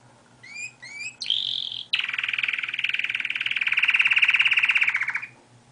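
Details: Pet canary singing outside its cage as usual: a few short rising chirps, a brief buzzy note, then a long rapid trill of evenly pulsed notes that swells in loudness and ends abruptly, with a low indoor hum beneath.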